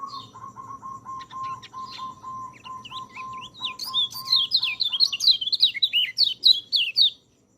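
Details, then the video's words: White-eye song for training quiet birds: a steady series of low even beeps plays first, then a fast high warbling run of sliding whistled notes takes over for about three seconds. "MASTERAN BURUNG PELECI, cocok untuk burung peleci malas bunyi"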